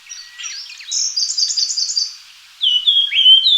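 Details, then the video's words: Japanese grosbeak calling: a quick run of high twittering notes, then clear, slightly slurred whistles around mid-high pitch, with nothing else audible. "桑鳲的叫聲/Sound of Japanese Grosbeak"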